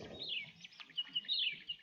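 Horsfield's Bronze Cuckoo giving a series of high, thin, descending whistled notes, about four or five in under two seconds, with faint background noise.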